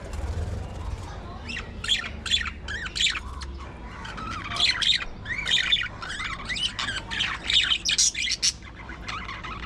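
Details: Budgerigars in an aviary colony give quick, harmonic chirps and squawky warbles that rise and fall, tumbling over one another in irregular bursts above a low steady hum.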